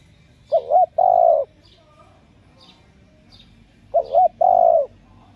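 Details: A female spotted dove gives low cooing phrases to stimulate male doves: a short trembling double note followed by a long, smooth coo, repeated twice about three and a half seconds apart, with faint chirps from small birds.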